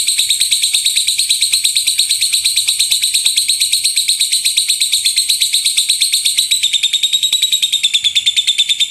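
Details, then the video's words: Lovebird giving the gemuruh tembakan, a rumbling shot-like song used to train other birds: long, unbroken stream of rasping high pulses at a fast, steady beat, the tone shifting slightly near the end. "LOVEBIRD SUARA GEMURUH TEMBAKAN BURUNG LOVEBIRD"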